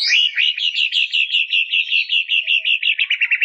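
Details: White-rumped shama song: a fast series of short, slurred whistled notes repeated about twice a second, steady in pitch, quickening into a tighter stutter near the end, with no other sounds.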